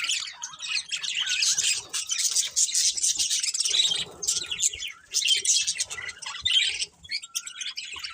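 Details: Budgerigars chirping: a dense, continuous chatter of high, scratchy warbles and twitters from several birds at once, with brief quieter gaps between bursts.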